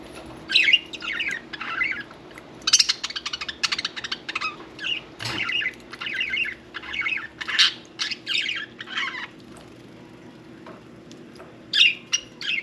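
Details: Pet budgerigars during bath time keep up a long run of buzzy warbling and shrill squawks, busy at first, then quieter, with a fresh flurry of sharp calls near the end.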